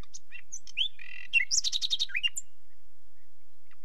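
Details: Nightingale song mixing whistles and slurs, a buzzy note, then a quick series of about seven loud repeated notes and a final high chip before quiet.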